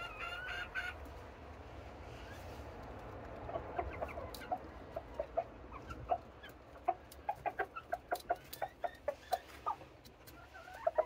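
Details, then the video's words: Serama bantam hens calling in the morning while waiting to be let out of their coop, a low background murmur building into a run of sharp repeated clucks in the second half. "Hens Noisy Morning Routine Today! | Noisy Hens"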